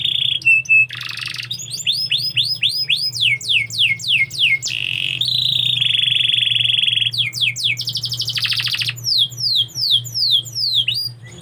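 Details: Canary singing: long rolling series of fast repeated downward-slurred whistles, a steady buzzy trill held for over a second, and quick chirps, about four notes a second, over a constant low hum.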